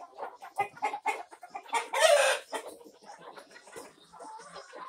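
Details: Barn chickens, a mixed flock of many breeds including Brahmas, Orpingtons and Leghorns, recorded May 9, 2024; dense overlapping low clucks and murmurs, with one louder noisy squawk burst near the middle.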